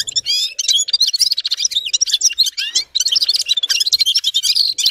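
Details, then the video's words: Continuous high twittering song of a red-fronted serin (Gulsir), with rapid chirps and buzzy slurred notes tumbling together and a brief pause near the three-second mark. "Gulsir Singing (Seriniis pusillus) Пение Птицы (Yurok Qushi Red-capped signing) G'ir-G'ir"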